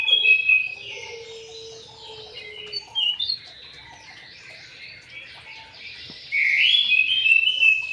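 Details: Aviary-kept white-rumped shama singing varied high whistles and chattering notes, with a brief double burst midway and a loud, sustained rich warble in the final two seconds.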